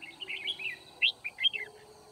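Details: Red-whiskered bulbul during a trapping session on 9 February 2019, singing bright, chirpy warbled phrases of quick rising and falling notes, with a few louder sharp notes toward the middle, over a faint steady hum.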